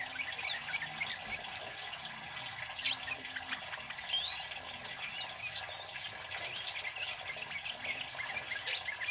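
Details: Loud, lively singing from a male flowerpecker (kemade), used to lure wild birds and to tutor caged ones: sharp high ticks and brief slurred whistles come in scattered bursts over a constant hiss.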